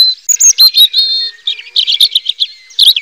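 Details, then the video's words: Robin singing a rapid, varied high-pitched phrase of sweet whistled notes, short buzzy trills and quick twittering chirps, with brief pauses between bursts and a final high flourish; no other sounds stand out. "Suara Burung Robin"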